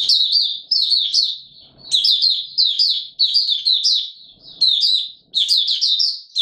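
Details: In warm humid weather a white-eye opens into full song: continuous high, rapidly warbling phrases of jumbled chirps, each burst starting sharply and running about a second, repeated back to back.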